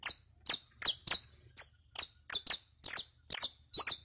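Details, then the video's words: Saffron finch song for training a captive bird: a steady series of sharp, loud, downslurred high chips, roughly two to three per second, each crisp and ringing. "ENSEÑA A CANTAR A TU CANARIO CRIOLLO CON ESTE AUDIO DE 15 MINUTOS [SICALIS FLAVEOLA]"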